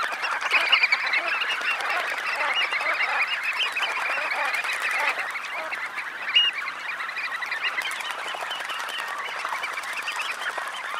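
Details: A large flock of red knots bathing after take-off gives a dense, continuous chatter of soft overlapping calls, with a brief louder burst midway.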